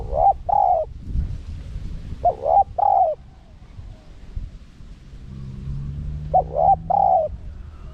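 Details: Spotted dove cooing in wild-style phrasing, a small-voiced call played to draw wild doves in quickly. Three clusters of loud, mellow coos, each a clipped lead note then drawn-out wavering notes, with low hum and faint rumble between.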